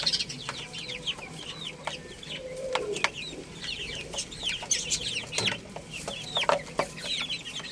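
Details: Baby chickens playing and eating: repeated short high peeps and chirps in quick succession, with tapping and scratching sounds and one lower drawn-out call.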